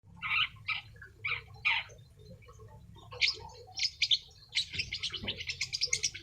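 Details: Young long-tailed shrike singing insistently, pouring out its repertoire of learned phrases: bursts of harsh, scratchy chirps, then a quickening run of rapid, high, clipped notes, with a low steady hum beneath.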